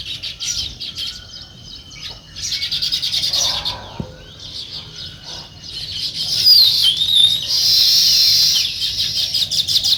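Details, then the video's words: Morning chorus of sparrows in a natural setting: irregular, quick high chirps overlapping one another, rising to a dense, loud chattering toward the end, with faint thin whistles in between. "Natural Sparrow Chirping Sounds"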